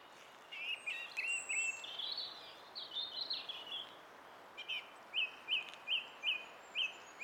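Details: Song thrush singing, 20 April 2016: a varied string of whistled, slurred phrases rising and falling, then a short, sharp note repeated six times at steady intervals of about half a second.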